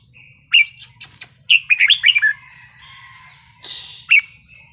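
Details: Red-whiskered bulbul performing 'wild song' phrasing meant to excite other birds: sharp clicks lead into a rapid string of rich, rolling whistled notes, followed by a brief rustle and one last chirp, with low background hum.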